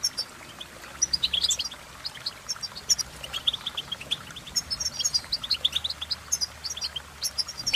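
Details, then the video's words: European goldfinch song with lively, rapid twittering of high, bright chirps in uneven bursts. The notes grow denser in the second half, over a faint steady hum. "innovative Ways To impress The Goldfinch With Bird Melodies"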